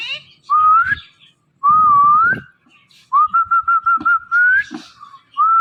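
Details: Ringneck parrot kept indoors, whistling at a phone: two clear upward-sliding whistles, then a longer flat whistle broken into quick even pulses, with a faint knock and rustling between.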